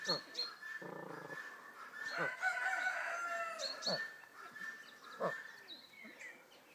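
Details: Crested fireback (Lophura ignita) in Sofia, Bulgaria, giving low, guttural clucking notes mixed with sharp clicks and a short whirring buzz, with faint higher chirps from other birds.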